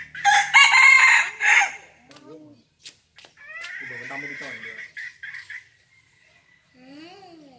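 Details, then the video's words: A five-month-old red junglefowl gives a loud, harsh, fierce crow in the opening second and a half, followed by softer clucks and murmuring human voices. "Gà rừng năm tháng tuổi gáy cực gắt"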